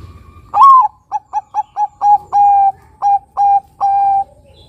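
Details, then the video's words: Bangkok perkutut zebra dove song played as a lure for other doves: a loud rising opening coo, then a quick run of short staccato notes and several longer level cooing notes, clean and mellow. "Pancingan Suara Perkutut Bangkok Gacor"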